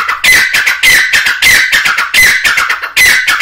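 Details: Grey francolin calling, loud and harsh, a rapid series of strained notes with a bright whistled streak near the top, bursts repeating about every half second to second, close and slightly distorted.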